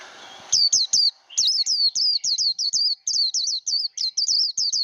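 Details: 'Líu đấu' song of a Japanese white-eye, played to rouse and train white-eyes: brisk, high, looping whistles in quick succession, with a short pause after the first few notes, against low background hiss.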